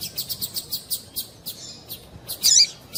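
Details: Female double-collared seedeater call used to make the male sing, a steady series of short high chips about five per second, then a louder burst of tight twittering notes near the end.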